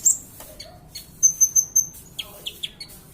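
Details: Sunbird known as kolibri ninja, singing as a training recording for other birds; a high whistled opening, four quick pulsed high notes, then scattered short chips.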